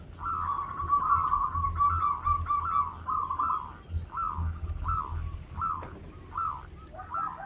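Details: Loud local zebra dove, suited as a lure, gives a long string of rolling coos: a dense trilled opening, then separate upturned notes repeated about once a second over a steady low rumble.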